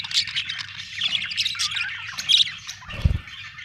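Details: Happy budgerigar chirping: fast squeaky warbling and short harsh squawks, with a dull knock near the end.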